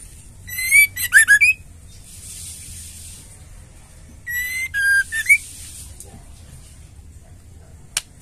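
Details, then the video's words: Female white-rumped shama, used to provoke male shamas into singing: two identical phrases, each a clear whistled note, a lower downslurred note, then short buzzy notes ending in an upward whistle, separated by a few seconds of quiet hiss. "Murai betina | Murai batu betina gacor terapi ampuh trotol & jantan macet bunyi"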